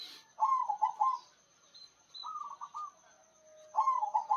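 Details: Big-voiced local zebra dove sings three short phrases of fast, bubbly, trilled cooing, starting and ending loud with a softer middle phrase; faint high chirps sound in the background.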